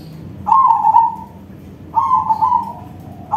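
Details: Crossbred zebra dove, or perkutut crossing, in loud song: two buzzy, rolling coos with a slight downward slide, spaced about 1.5 seconds apart, and the next phrase starting at the end.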